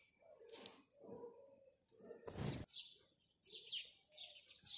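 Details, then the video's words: House sparrow in the morning giving scattered high chirps, then quicker chirp clusters toward the end; a loud rushing noise interrupts for a moment in the middle over a low background hum. "House Sparrow Chirping"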